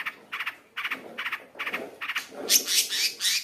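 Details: Long-tailed shrike song, played to provoke caged shrikes into singing along: a run of short, harsh, repeated notes about three per second, then higher, louder scratchy phrases closing the sequence.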